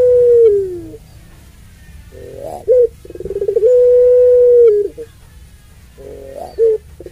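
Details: Drawn-out coo of a puter pelung dove meant to provoke other doves: a falling sustained note, then a short hoot and a buzzy trembling run swelling into a long even moan that drops at its end.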